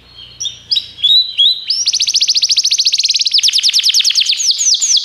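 A Belgian canary sings high, bright notes that open with scattered chirps, then run into fast, rolling trills of rapid repeated syllables, each ending in quick downward sweeps.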